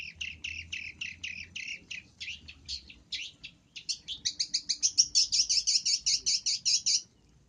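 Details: Long-tailed shrike sound used to lure birds: a steady run of rapid, scratchy chattering notes, irregular at first, then quickening and growing louder into a tight, even burst near the end.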